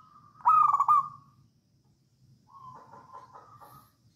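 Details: A wild local Javanese zebra dove sings energetically ("manggung"), used as a model song for training other doves: a loud, mellow cooing phrase, then after a pause a softer, stuttering run of rolling coos at a moderate pitch.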